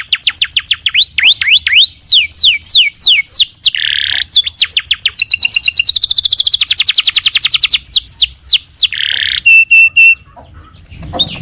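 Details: Canary in full song, played to lure another canary into replying. Rolling downswept whistles alternate with short buzzy rattles and a dense, fast high trill; the singing stops abruptly, leaving faint background noise.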